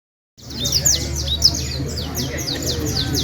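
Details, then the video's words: Canary from Valledupar, one of four singers, giving rapid repeated downward-swept high notes in series, with low background hum. "4 mejores canarios del valledupar"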